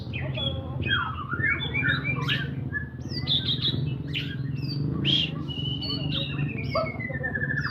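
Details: White-rumped shama, described as a champion bird, in full energetic gacor song: a dense, varied stream of clear whistles, upward and downward slides, sustained high notes and brief chattering bursts, over a constant low hum.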